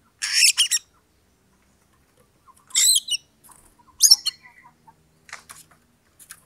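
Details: Oriental magpie-robin song used to provoke a rival into fighting: harsh, buzzy high bursts in short clusters separated by pauses, with faint lower notes between phrases.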